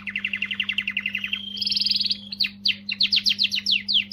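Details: Canary song meant to stimulate females: a rapid series of evenly spaced chirps, a short high rolling trill, then a run of sharp descending whistled notes, with a steady low hum beneath.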